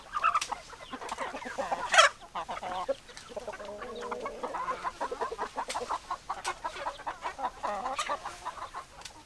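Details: Hens and roosters clucking: a loud squawk near the start, then steady rapid clucking from many birds, with a drawn-out nasal call midway.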